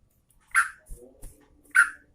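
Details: A female sooty-headed bulbul of the Garuda type summoning a male: two loud, harsh chirps over a second apart, with low knocking and a faint steady hum between them.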